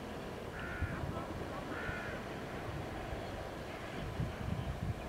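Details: Lesser black-backed gull in Istanbul, 2020, giving three drawn-out, nasal calls about a second apart, the last fainter, over a steady low rumble of wind or traffic.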